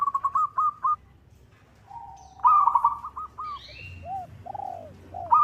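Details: Local zebra dove calling a rival, used to lure; a quick stuttered series, a quiet low tone, then a louder rattling run followed by drawn-out arched coos, with faint higher whistles behind.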